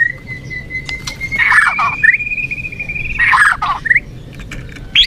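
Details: White-rumped shama (murai batu), a popular kept songbird: a long steady thin whistle held for several seconds, broken by two buzzy chattering bursts and short upslurred notes.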